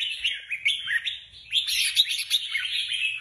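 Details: Contest-bound red-whiskered bulbuls give rapid chirpy, whistled warbling, dipping and rising notes in quick succession that grow louder and denser in the second half.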